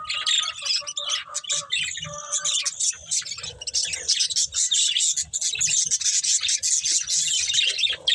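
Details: Budgerigars of a breeding pair deliver dense, continuous scratchy warbling and quick high chirps, with a few clicking notes near the start.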